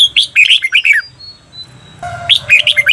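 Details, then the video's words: Red-whiskered bulbul, a Thai cage bird, on a training recording for the doubled 'berl' song style: two bursts of rapid, bright chirping notes around a faint thin steady whistle, with low hum beneath. "เสียงฝึกเบิ้ล นกกรงหัวจุก เปิดสอนเบิ้ลยาวๆ เบิ้ลได้แน่นอน"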